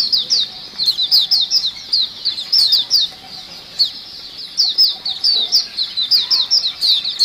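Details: Many white-eyes chattering excitedly as a lure sound, thin high notes slurring downward in fast clusters, several birds overlapping, with short lulls between bursts.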